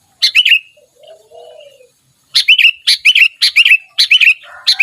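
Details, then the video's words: Chatty sooty-headed bulbul song: one brief burst of bright, bubbly chirps, a quiet gap with a soft low murmur, then a run of repeated liquid phrases about twice a second, each made of three to four rising whistled notes. "kutilang gacor dorr"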